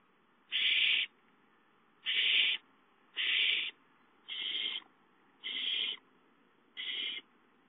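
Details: Owl nest on 5/5, gopher delivered at 8:53 and snatched by a chick; six hoarse hissing screeches, the later ones softer, spaced about a second apart.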